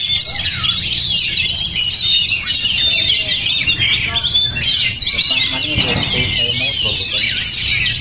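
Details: Oriental magpie-robin of fiery temperament singing a busy, high-pitched medley of twittered notes and thin whistles. A short lower-pitched sound cuts in near the six-second mark.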